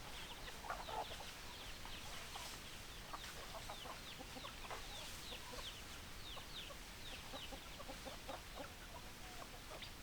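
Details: Chickens of a flock clucking steadily, many short overlapping clucks and occasional higher squawks scattered over ten seconds against constant background noise.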